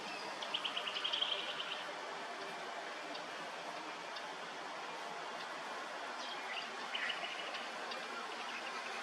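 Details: At Hervey Bay, Queensland, a grey butcherbird calls a quick run of sharp, high notes, then a shorter burst a few seconds later, over a steady rushing background hiss.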